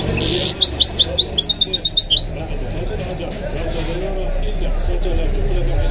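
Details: Kept goldfinch × canary mule singing: a burst of high, rapid twittering and short rising trilled notes in the first two seconds, then only background male Arabic football commentary.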